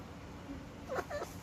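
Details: A pet Alexandrine parakeet speaks two quick, harsh, voice-like syllables, the mimicked word "Marbo" ("I'll hit"), seemingly angrily, over a low steady room hum.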